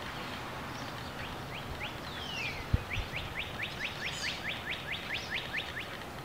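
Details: A mother mallard with her seven ducklings: the ducklings give a rapid series of high, thin, upslurred peeps, about three a second, over steady outdoor background noise and one dull thump.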